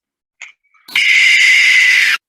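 Barn Owl giving a harsh, drawn-out hissing screech lasting over a second, after a brief faint note; no other sounds.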